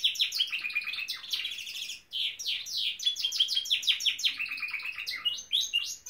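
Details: Singing pet Norwich canary: rapid trills of repeated high notes, a short break, then more rolling chirps and whistled sweeps.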